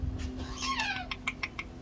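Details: A chattering lory, a pet named Rocky with a yellow back, gives a harsh, falling squawk, then three quick sharp chirps in under half a second, over a steady low indoor hum; its owner asks why it is so angry.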